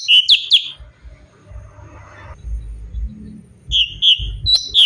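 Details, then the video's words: Cucak cungkok bulbul, a vocal variety used for training other songbirds, giving loud, clear, whistled notes in quick bursts, separated by a quiet gap with low rumbling noise. "CUCAK CUNGKOK GACOR SUARA ASLI VARIASI UNTUK MASTERAN"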